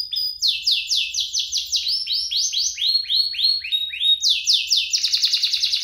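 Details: Canary song meant to coax young canaries into singing: a long string of rapid, loud downslurred whistles, ending in a very fast rolling trill.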